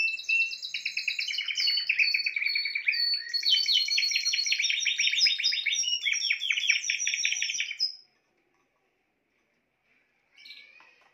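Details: Spanish timbrado canary singing a long continuous song of rapid trills and rolling, metallic chattering phrases, high-pitched and dense for about eight seconds, then a pause of silence before a brief new burst begins.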